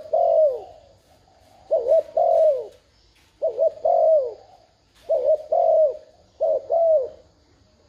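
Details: Lure spotted dove in 'thúc gù' provoking coo: five steady phrases, each a soft double-bounced note then a longer descending coo, spaced about every one and a half seconds.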